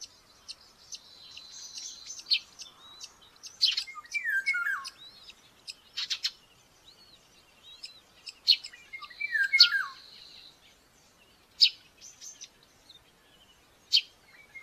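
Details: During breakfast feeding at a Hungarian nest in Tiszalök in May 2024, a baby common buzzard utters two falling, slurred squeals about five seconds apart. Small birds chirp and trill throughout at higher pitch.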